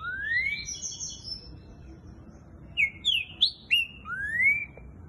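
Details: Boiadeiro-style song of a green-winged saltator, fast-paced: an upslurred whistle, then a quick series of sharp, strong descending whistles and a final rising slur.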